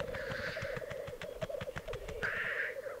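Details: Black grouse displaying at a lek in the Piedmont Alps, Italy, 2022. A continuous low bubbling rookoo runs throughout, broken by two harsh hissing sneezes near the start and end, with soft clicks between.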